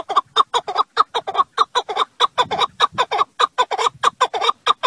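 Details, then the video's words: Partridge voice: quick chains of raspy, ringing chuck notes, sometimes doubled, repeated steadily, with faint low rumbling underneath. "En güzel Keklik Sesi 1/Partridge voice"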